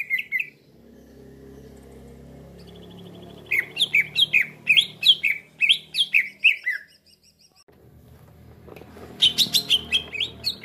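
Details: Lure recording of a green leafbird (cucak ijo) for trapping: a short opening chirp, then a long rapid series of bright chirps that dip and rise, a pause, and another quick burst of sharp notes. A low background hum is audible.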